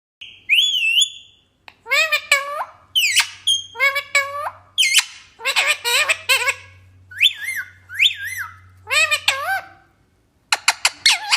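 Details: A talking parrot indoors gives a run of harmonic, speech-like phrases: bending, rising and falling notes and short squawks in quick bursts, with a brief pause near ten seconds before more clipped syllables; a low steady hum runs underneath.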